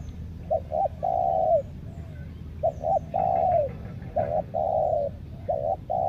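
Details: Lure spotted dove from Lombok, meant to draw in wild doves, cooing in phrases of two quick short notes and a long falling coo, repeated four times with faint softer coos between.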